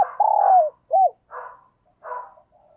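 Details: Morning song of a decoy spotted dove luring wild doves: a long, loud, level coo falling at its end, then a short arched note, followed by two softer, hoarse phrases.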